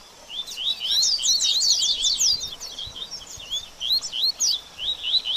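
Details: Song of a double-collared seedeater, played to warm up a bird after its feather moult; quick chains of upslurred whistles and buzzy trills, a busy burst then sparser notes toward the end.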